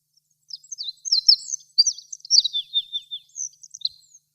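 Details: Wild olive-backed pipit singing from a blossoming tree: a continuous run of high, buzzy, sibilant trills and quick slurred notes for about three seconds, ending with a couple of isolated chips.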